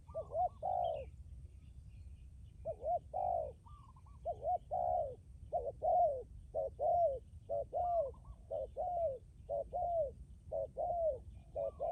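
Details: Decoy spotted dove, valued for hard, enduring cooing. After a pause it delivers a long run of mid-pitched coos, short and long notes alternating roughly once a second. The background is quiet apart from a low hum.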